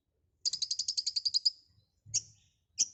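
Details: White-rumped shama giving a rapid trill of about eleven high pulsed notes lasting a second, followed by two separate sharp high chips.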